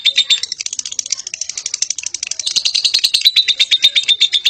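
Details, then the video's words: Lovebird chattering loudly: a dense, rapid rattling stream of harsh high chips, roughly three per second in pulses, continuing without pause and intensifying toward the end. "burung love bird ngekek"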